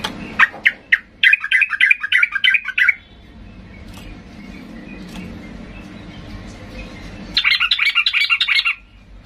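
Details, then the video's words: Worked-up sooty-headed bulbul, singing to goad other bulbuls into answering. Clustered scratchy chattering phrases give way to a stretch of low background murmur, then a dense burst of rapid warbled notes. "Trucukan gacor ngamuk memancing trucuk diam Bisa bisa Nyaut Emosi tinggi"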